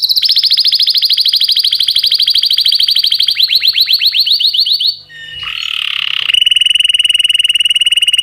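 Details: Canary song, loud and powerful: long rapid trills of repeated high notes, some sweeping downward in fast series, then a brief harsh buzzy passage before another steady high rolling trill.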